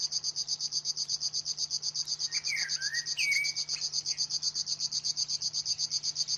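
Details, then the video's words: Continuous high, dry pulsing song of a river warbler, regular buzzy strokes throughout, with another bird's brief rising and falling whistles laid over the middle. "kicau tembakan river warblers"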